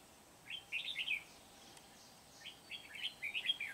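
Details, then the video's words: Red-whiskered bulbul serving as a trapping decoy at Kim Bôi, Hòa Bình, Vietnam, 8 September 2019; two lively runs of quick liquid whistled notes, bubbling and slightly buzzy, with a short pause between. "Bẫy chào mào Bổi Kim Bôi - HB quá sung"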